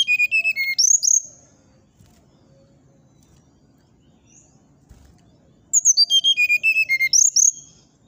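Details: Brown-chested jungle flycatcher singing in the fluting 'nyuling' style, said to rile neighbouring birds. Two phrases about five seconds apart, each a quick run of clear whistles stepping downward from very high to mid pitch. A faint low hum fills the gap.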